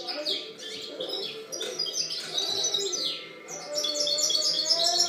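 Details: European goldfinch song recorded in 2013: rapid, high twittering runs of bright chirps and buzzy trills, nearly continuous across the clip, with faint steady lower tones beneath.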